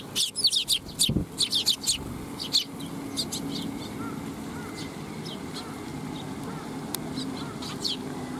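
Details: Sparrows coming to be fed at a Tenmangu shrine on 12 July 2021: a rapid string of loud high chirps for the first three seconds, then softer, scattered chirps, with a faint repeated lower tonal note in the background.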